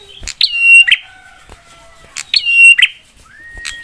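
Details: Prinia provoking other prinias to respond: two strong phrases under two seconds apart, each a crisp note leading into a steady high whistle that ends in a buzz, with faint lower whistles between.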